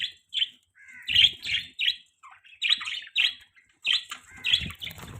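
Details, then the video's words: Pet budgerigars chirping in bursts, bright scratchy warbles and short squawks overlapping, with soft low thumps and wing noise in between. "Beautiful Budgies Parrots Chirping Sounds"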